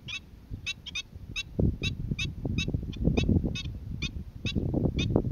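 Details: Black-winged stilt in Boa Vista, Cape Verde, recorded February 2020, giving steady, sharp, nasal yelps roughly every half second, sometimes doubled, while buffeting wind rumbles underneath.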